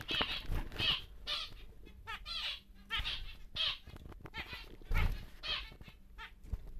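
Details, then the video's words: Large normal grey male zebra finch, a captive bird acquired for breeding: nasal, buzzy harmonic notes repeated in quick bursts roughly every half second, with soft clicks and low cage rumble beneath. "BİG Zebra Finch (NG) Normal Gri Male"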